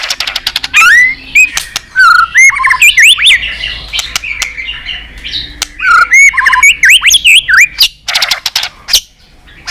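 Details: White-rumped shama in competitive singing, a long flowing song with lively tail-flicking: rapid varied whistled phrases, rising and falling slurs mixed with sharp clicks and dry ticks, bursts following each other almost without pause.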